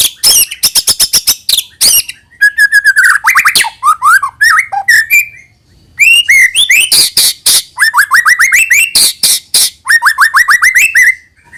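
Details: Long white-rumped shama song played to encourage young birds to sing: quick series of sharp clicks, then descending and rising slurred whistles, harsh bursts and repeated upslurred notes in rhythmic runs.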